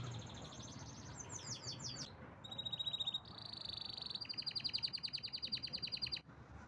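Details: Canary song moving through distinct sections: a high rolling trill, slurred notes, a steady whistled roll, then a bright rapid pulsing trill that stops abruptly.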